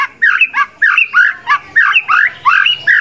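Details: Contest white-rumped shama in the 'isian sekebun' mimicry style: a string of short, harsh, slurred phrases, each swooping and bending, repeated about once a second with brief gaps between them.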